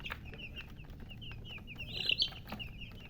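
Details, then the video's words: Newly hatched chicks chirping loudly: many rapid, high, slightly falling peeps overlapping continuously, with a denser burst of calls near the middle. "Tot Murgi chicks chirping sounds Just Born Baby Gallina FRACAS Chicks Piar Loudly Sound"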